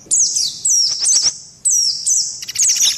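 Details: Loud, close white-eye chirps from a mixed lure with mantenan and pelatuk beras: bright wavering whistles sliding downward, with a buzzy stutter near the end.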